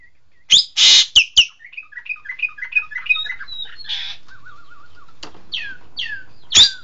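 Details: Green magpie, locally called engkek keling, giving loud harsh screeches and clicks, then a run of soft rising chirps, a quavering warbled phrase and several sharp downslurred whistles ending in another screech.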